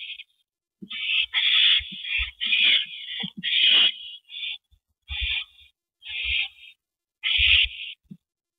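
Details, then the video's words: Owl at its nest on the evening of 19 April 2012 at 8:15 PM as a rabbit is delivered to its mate: harsh, hissing screeches, each about half a second long. The bursts come in uneven runs with brief gaps and faint low knocks. "Rabbit Delivery #251!"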